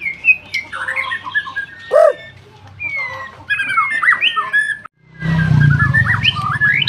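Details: Captive-bred F4 white-rumped shama in full song, giving varied clear whistles and slurred rising and falling notes, broken by a short gap and then a burst of low rumbling noise under further whistling.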